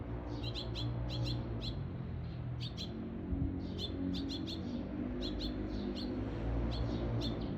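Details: Adult Eurasian tree sparrow holding food and calling for its chick, recorded 17 June 2021; sharp chirps repeated in irregular clusters, two to four at a time, steadily through the clip over a low constant hum.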